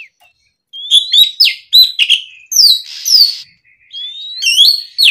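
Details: Oriental magpie-robin in loud afternoon song, intended to provoke young birds to respond and start singing. Rising whistled notes, quick chips and a rasping buzzy note follow a brief silence.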